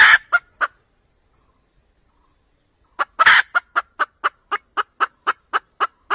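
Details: Cackling red junglefowl hen, a sound for trapping wild junglefowl. A few clucks are followed by two seconds of silence, then a loud, harsh squawk and a fast, even series of clucks.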